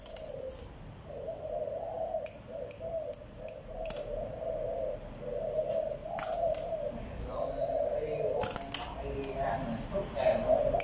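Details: A Malaysian-line spotted dove coos in soft, low, hollow phrases that run almost without a break, with sharp clicks over the top.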